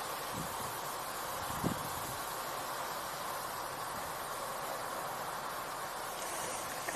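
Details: Even outdoor hiss and a mechanical hum with a few soft knocks and a faint whine near the end; no animal sounds.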